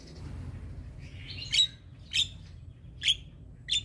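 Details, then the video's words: Black-winged starling sound meant to stir silent starlings into singing: a short burst of scratchy chatter followed by four loud, sharp whistled chips spaced roughly half a second to a second apart over a faint low hum. "Jalak Kebo Stres MAlas Bunyi Langsung Nyaut Dengar Suara Burung Jalak Kebo Ini"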